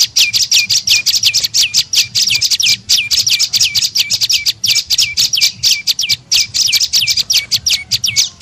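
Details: Prenjak lumut (tailorbird) calling as a bird lure: bursts of rapid high chirps, each dropping sharply then held briefly, grouped in quick runs with short gaps.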